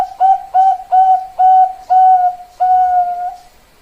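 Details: Zebra dove of the Bangkok perkutut type, a prized songbird, cooing indoors: six clear, mellow whistled coos, each about a quarter second, with the last drawn out longer and level, all on one steady pitch.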